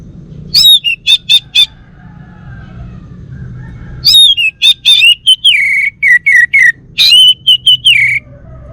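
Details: Bali-type male orange-headed thrush, a caged pet, sings ringing whistled phrases with rapid repeated notes, then a longer varied passage of slurred whistles and downward-sliding notes after a short pause.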